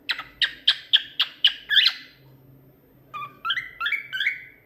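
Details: Talkative pet cockatiel singing: a rhythmic series of sharp, evenly spaced chirps about four per second, a brief scratchy squawk, a pause, then a few rising, slurred whistles in a quiet room.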